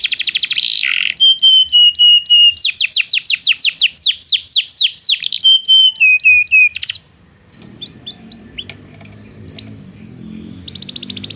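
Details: Belgian canary song used for training non-singing canaries: rapid repeated downslurred whistles, a sustained pure note, fast trills, then a pause with scattered soft notes before a high buzzy trill resumes.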